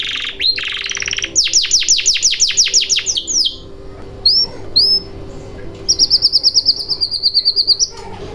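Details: Canary song meant to prompt silent canaries into singing: a buzzy opening, a fast series of descending sweeps, two clear rising whistles, then a quick rolled trill of repeated high notes, with a faint background hum.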